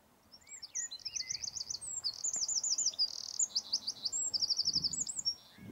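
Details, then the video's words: Eurasian wren delivering a brisk high song of fast repeated trills, buzzy rattles and short sweeping whistles, steady and unbroken for about five seconds. "EL CHOCHÍN. CANTO Y ALARMA."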